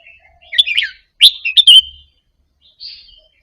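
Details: ['Caged Indonesian-type Red-whiskered bulbul softly practising a doubled song phrase, played to rouse other birds to sing along; bubbly, warbled notes in two quick bursts, then a faint thin whistle near the end.']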